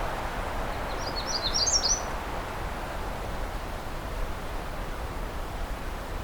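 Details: A Magnolia Warbler singing close by in tall jack pines in the afternoon at Pine Tree Point Nature Reserve, near Pine Tree Harbour, gives one quick, high phrase of short slurred notes lasting about a second, over steady low wind or rumble.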